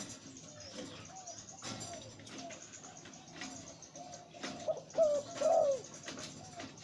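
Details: Zebra dove, a breeding male with a deep voice: quiet, scattered low notes for several seconds, then a louder pair of bending coos near the end, with some background clatter.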